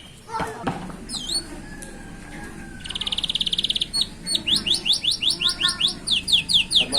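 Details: Young canaries singing by the roadside: varied chirps and a rapid buzzy trill, then a regular run of sharp descending notes repeated about twice per second.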